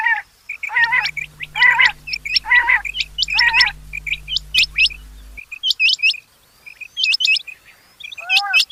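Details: Rain quail giving rasping harmonic calls repeated in quick bursts among high sharp hooked chirps, with a low steady hum underneath for the first half.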